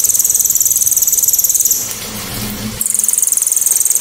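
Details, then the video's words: Cililin 'tembakan', described as loud, sharp and clear, used to train songbirds: a piercing, fast-pulsed high trill that stops just before two seconds, pauses briefly, then resumes at a similar pitch. "TEMBAKAN ‼️BURUNG CILILIN‼️ SEPERTI KESELEK SANDAL😂KERAS TAJAM DAN JERNIH"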